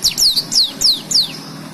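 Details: Lively black-throated canary singing for song-tutoring of canaries: five loud, clear, high whistled notes, each sliding steeply downward, delivered in quick succession over under two seconds.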